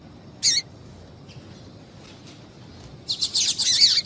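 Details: Female double-collared seedeater calling to get a male singing: a single sharp high chip, a long quiet gap, then a rapid burst of high twittering chips.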